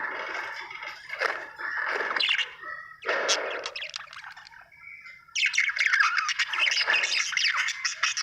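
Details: Happy pet budgerigar chirping: bursts of scratchy, warbling chatter broken by brief pauses, ending in a longer, busier stretch of rapid high twittering.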